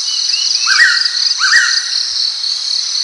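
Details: Pitta uttering two clear whistles under a second apart, each rising then flattening out, set against an unbroken shrill insect background.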